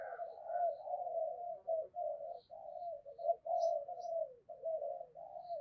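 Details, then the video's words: Caged decoy spotted dove cooing in a long, nearly unbroken run of low, throaty, wavering coos, with a few faint high chirps above; fairly quiet and distant. "Chim Cu Mồi, cu gay kich boi nhanh noi gù"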